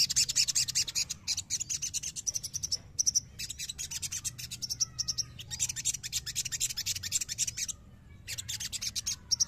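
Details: Sogon, a young bird in training, provoked into an aggressive mood. It gives sustained high, grating, rapid chatter with a few clear whistled notes and brief silences. A low background hum runs throughout.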